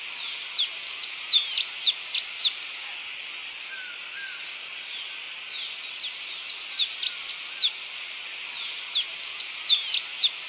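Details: Blue-and-yellow tanager song: bursts of rapid, high, sharply falling whistled notes, a pause of about three seconds, then another run of the same slurred notes, with constant background hiss.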